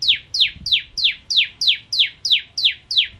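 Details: Ciblek kristal, or bar-winged prinia, singing as a masteran bird: ten loud, sharply falling whistled chips repeated very evenly, about three per second.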